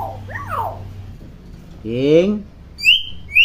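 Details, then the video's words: Common hill myna used as a speaking model for young birds: a wavering mid-pitched whistle, a loud voice-like rising syllable, then two short sharp high whistles near the close. "Burung Beo Gacor Cerewet"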